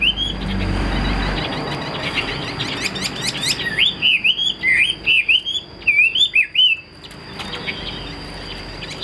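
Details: Caged Chinese hwamei kept as a fighting bird: soft chatter in a noisy start, then clear swooping whistled phrases, each bending up and down, before trailing into quieter chatter. A steady high whine continues throughout.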